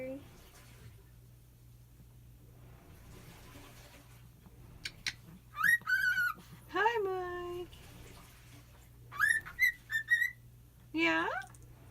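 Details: A pet cockatiel, excited at his owner's return after a day and night away, gives bursts of laugh-like chuckles with sliding whistled notes while a person talks to him; he rarely laughs like this on camera.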